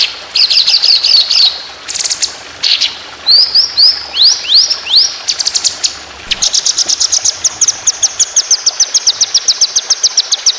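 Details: Contest white-rumped shama training song: buzzy high trills and swooping whistled slurs, then a long, even, fast string of crisp high notes rolling on to the end.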